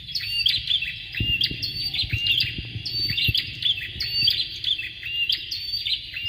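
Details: Bar-winged prinia, a male and female readied as tutors for competition birds; continuous high, piercing chirps and buzzy trills repeated about once a second, with soft low tapping sounds beneath.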